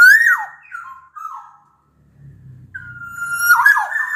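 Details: Black-naped oriole of the Sumbawa type sings as a lure for reluctant orioles: a loud rising-then-falling whistle, softer trailing notes, a pause with low murmur, then a long level fluted whistle breaking into warbles.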